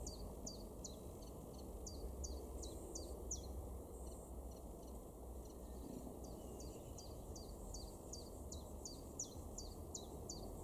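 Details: A common chiffchaff in a garden in Weener, East Frisia, northwest Germany, in May 2023, sings a steady run of high, clipped notes, about three a second, see-sawing between two pitches, over a constant low rumble.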